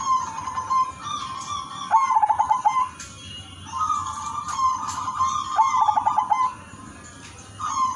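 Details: Zebra dove (perkutut, udanmas silver) singing actively in a melodious rhythm, used as a lure for other zebra doves. Two phrases of mellow low coos, each ending in a fast bubbling trill, with faint steady high tones behind.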